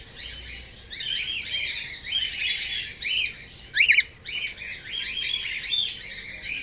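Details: Grey whiteface cockatiel, a male, giving a steady series of arched, squeaky chirps that rise and fall, with one sharp, louder shriek just before the fourth second.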